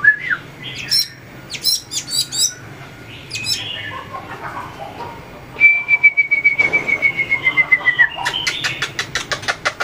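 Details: White-rumped shama practising fighting song while tail-flicking on its perch: scattered sharp chips and short whistles, a long steady high whistle gliding slightly down, then a quick rattle of clicking notes.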